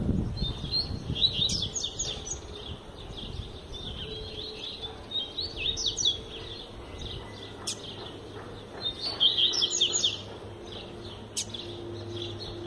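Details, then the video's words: Double-collared seedeater, a kept song bird, singing: short bursts of high, twittering, rapidly modulated notes repeated in phrases with pauses between, against a steady low hum and background noise. "Coleiro Flash Tui Tui Zel Zel Canta Muito Fibra Absurda"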